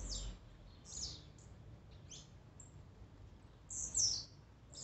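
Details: Song of the blue-black grassquit, used to excite a kept bird: scattered short, very high descending buzzes spaced about a second apart, ending in a louder shrill note, over faint low rumble.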